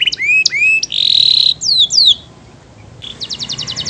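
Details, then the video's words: Canary singing: a few swooping whistles, a steady buzzy trill, two falling slurs, a brief pause, then a quieter fast pulsed rattle. "Suara burung kenari bernyanyi merdu yang lain awas ikut bernyanyi"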